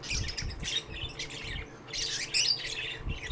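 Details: Shrill chirping from lovebirds kept at a shelter for sick birds. Bright, piercing high notes repeat in uneven bursts, some rising squeaks, with soft low thuds underneath.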